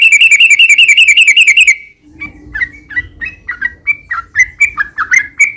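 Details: Yellow-vented bulbul in rapid rattling song, used as a lure to get caged bulbuls singing back. A fast trill of nearly two seconds, a pause, then a run of separate bubbly, slurred notes over a faint low hum.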